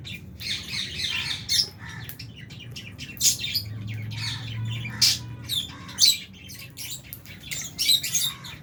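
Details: Fisher's and albino lovebirds at feeding time in an aviary with budgie parrots; rapid, shrill chirps and squawks overlap continuously from several birds, with a low droning hum in the background.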